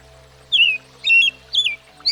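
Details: Short song passage from an American Robin, a common backyard bird of the U.S. Three separate caroling phrases, each starting high and gliding downward, with a last note cut short at the end. A soft, low steady hum runs underneath.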